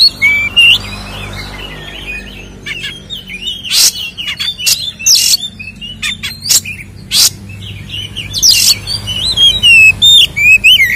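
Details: White-rumped shama, a lively singer used as a lure to provoke captive birds into fighting mood, pouring out varied whistled phrases with sliding notes around the upper range, interspersed with harsh broadband bursts, delivered in rapid succession.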